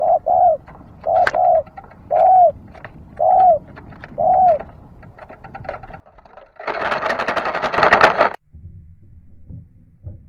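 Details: Dove cooing: five mellow, slightly falling coos about one per second, followed by a loud broadband rustling burst and then near quiet.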